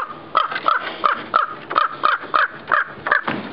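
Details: Angry raven with a nest, calling at a person climbing on the roof toward it: harsh croaking caws repeated roughly three times a second in a steady series.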